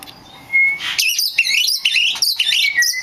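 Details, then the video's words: Oriental magpie-robin song used as a lure to provoke other magpie-robins into singing: a thin steady whistle, then a loud rush of varied whistled and warbled phrases ending in a level whistle. "SUARA P4NCINGAN KACER BAHAN"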